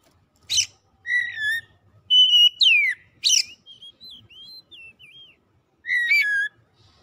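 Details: Oriental magpie-robin song meant to prompt a silent bird to start singing: sharp scratchy bursts alternate with clear sustained whistles, a sliding downward note, and a soft series of quick wavering twitters.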